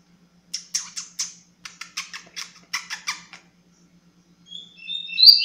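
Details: Double-collared seedeater in tui tui zero zero song, opening with a quick series of about fifteen dry, clicking ticks in uneven bursts, then a pause before a loud rising whistle starts at the end.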